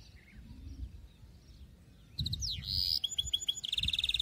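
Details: Stimulating song for teaching canary chicks: a quiet, noisy opening, then a canary bursts into bright whistles, a buzzy trill and fast repeated notes.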